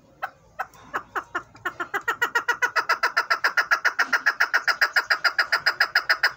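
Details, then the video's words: Male desi chukar partridge, a breeder bird in an excited mood, used as a hunting caller, from Haripur Hazara. It gives a loud, rapid chuck series that starts with spaced notes and then speeds into a steady run of about three and a half calls per second. "Desi chakoor male voice# konk msti krta hwa# breader male beat voice"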